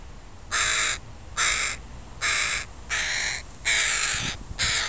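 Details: Crow family with young crows walking in a park; six harsh, broadband caws in steady series, each about a third of a second long, roughly one every 0.8 seconds, loud and close with a quiet background.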